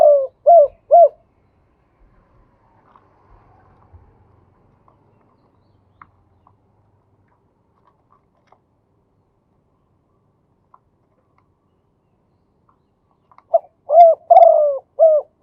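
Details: Male spotted dove in 'khu ang' singing style: a run of three short low coos opens, then a long near-silent gap with faint clicks, before another phrase of several mellow coos returns at the end.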